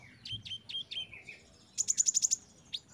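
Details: Olive-backed sunbird song played as therapy to make young caged birds sing: high thin downslurred whistles repeated about four times a second, a short falling note, then a quick burst of six sharp very high chirps and a lone final note.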